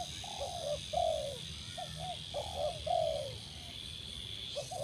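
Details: New spotted dove trained as a branch decoy repeats two low cooing phrases, each a soft lead-in followed by a louder, slurred, falling hoot, against a quiet background hum.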